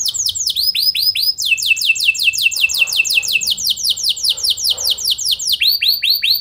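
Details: Lure song of a canary meant to make other canaries answer: continuous rapid series of descending whistled notes in changing tempo, briefly slowing, then rolling on as steady trills.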